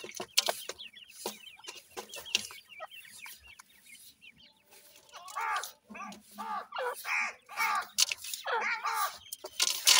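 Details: Francolin (teetar) chicks being fed: many high, short peeping notes in quick overlapping bursts, growing denser and louder in the second half, among clicking and rustling sounds.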